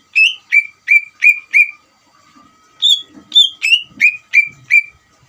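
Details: Lively song of a greater green leafbird, played to make a rival leafbird emotional and answer at once: five clear whistled notes in quick succession, a short gap, then a second run of about seven notes, first ones higher pitched.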